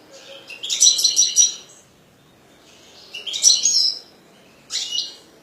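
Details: European goldfinch owned by a breeder delivers three separate bursts of fast, liquid, high-pitched twittering with buzzy, metallic trills, with pauses of near silence between.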